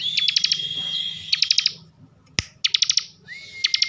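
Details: Caged bar-winged prinia from Tegal, Central Java, in 'bren' song: a high whistle riddled with rapid click bursts, a single sharp knock, then more clicking and a rising whistle.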